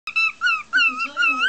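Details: Pet bird saying hello pretty birdie indoors: clear, tonal, speech-like phrases with rich overtones, rising and falling in four quick syllable groups, followed by a person saying hello.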